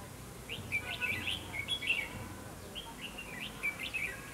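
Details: Red-whiskered bulbul decoy song in a fighting trap, meant to provoke rivals: two spaced bursts of cheerful warbled notes with quick upward slurs, low rumble beneath.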